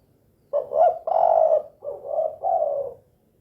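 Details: Spotted dove in 'kuk 2' style, in full, lively voice: five low mellow coos in quick succession, the second longest and loudest, the last three softer and even, all within about two and a half seconds against a quiet background.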